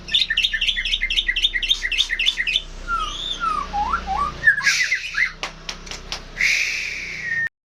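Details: A lively singing bird starts with rapid repeated high chattering notes for over two seconds. Looping whistled slurs follow, then rough broadband bursts and a sustained harsh note before an abrupt stop.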